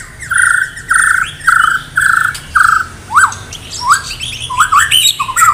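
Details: A Medan-type white-rumped shama in full competition song, said to include canary mimicry, gives five harsh, buzzy notes about half a second apart, then a run of quick, rising whistled slurs.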